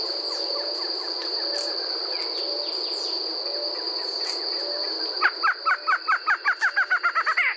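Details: Barred Antshrike (Thamnophilus doliatus) in Brazil singing a quick, accelerating run of about fifteen nasal, hollow notes, with a steady high insect drone throughout and faint other birds before.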